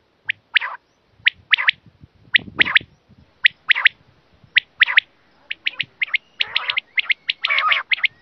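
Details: Quail voice played to catch quail while hunting: short sharp high notes, often doubled, repeated at irregular intervals, with some rougher buzzy notes toward the end.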